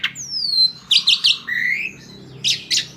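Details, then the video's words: Asian pied starling singing to lure other birds into song: a long descending whistle, a run of three sharp chirps, a rising whistled slur, then buzzy bursts near the end, over a faint low hum. "Jalak suren ini PINTAR memikat burung lain AGAR IKUT GACOR"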